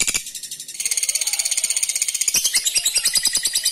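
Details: Lovebird ngekek, a long provoking trill aimed at rivals. A high, rapid, rattling chatter runs throughout, growing louder and more clearly pulsed toward the end.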